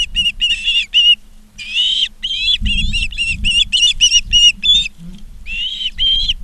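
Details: Repeated piercing whistled chirps from Ospreys at a live nest cam in Charlo, Montana, afternoon of 19 August 2023, come in quick uneven runs with a short pause, over a faint low hum.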